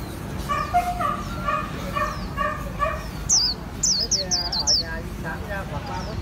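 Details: Japanese white-eye from Vietnamese bird keepers giving khuyên líu song: after a stretch of lower repeated tonal notes, a burst of five high, slurred, falling whistles arrives in quick succession, with background noise throughout.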